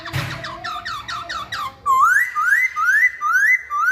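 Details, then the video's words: Masked laughingthrush singing a rapid run of down-slurred notes. It then switches to loud rising whistles repeated roughly every half second. "Kicauan Poksay Hongkong"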